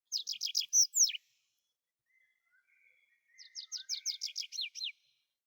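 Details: Tree pipit song: a quick run of bright, repeated down-slurred notes, then a louder pair of sweet slurred notes, a pause with faint thin whistles, and a second fast series of repeated chirps.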